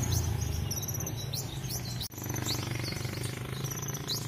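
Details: Captive sunbird singing at full strength, unloading mimicked notes: fast series of high rising chirps and short whistles, a brief break in the middle, over constant low hum.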